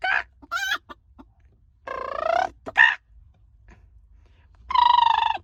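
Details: Chicken giving loud calls: a few short harsh squawks, then a longer wavering, harmonic-rich squawk near two seconds, a quick sharp cry, and a final drawn-out squawk after a quiet gap.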